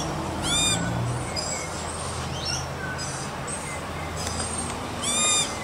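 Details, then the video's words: Young Australian magpie yelling, singing and eating: loud, harsh, ringing squawks at the start and end, with softer warbled whistles between, over a low steady hum. "Bird baby Australian Magpie yelling, singing and eating."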